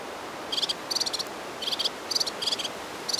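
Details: Red-fronted serin in Turkey: short bursts of high, tinkling, jingling trills, each about a fifth of a second long, repeated in quick succession over a steady hiss.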